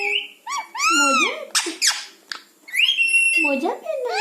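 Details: Pet parrot in a small room mimicking words like 'Mumma' and 'Maa' and whistling back to its owner. Arched voice-like syllables and raspy bursts lead into a sustained flat whistle, then a falling nasal note.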